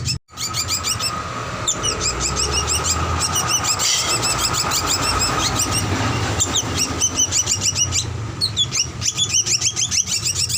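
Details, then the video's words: Young drongo on a master recording for prompting birds to sing: bursts of sharp high squeaky chirps in quick series, some rising and falling, with a brief gap near the start and a constant low hum behind. "Masteran Paud Srigunting Ampuh Buat Pancingan Dan Dijamin Cepat Bunyi"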